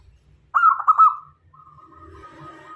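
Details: A single rolling, trilled coo from a local zebra dove meant as a lure for other doves, trailing into a long even tone, then faint murmuring background noise.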